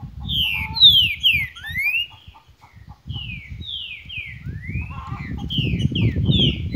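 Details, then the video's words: Song of the green-winged saltator in the "Cadê meu boi" style: two phrases of sweeping whistles, some falling and some rising, separated by a short quieter gap, over steady low-pitched background rumble. "Canto Cadê meu boi"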